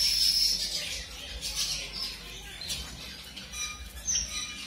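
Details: Colour-mutation zebra finches, just introduced to a new mate for pairing, give short, high, nasal chips about three times a second, with a soft hiss of background noise and some faint rustling.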